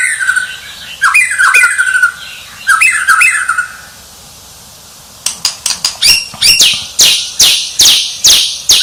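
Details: Champion white-rumped shama singing: clear whistled phrases with bent, slurred notes, a brief pause, then a fast series of loud, sharp descending sweeps repeated roughly two to three times a second.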